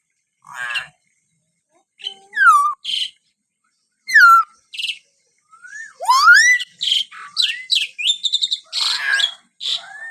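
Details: Common hill myna calling in a busy sequence of clear upslurred and downslurred whistles mixed with harsh, buzzy squawks, sparse at first, then a rapid cluster of varied notes toward the end.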